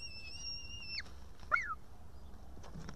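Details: Eaglet of the white-tailed eagle begging at an Estonian nest on the evening of 8 June 2018. One steady, high whistle slides down at its end, followed by a short, lower, upslurred note.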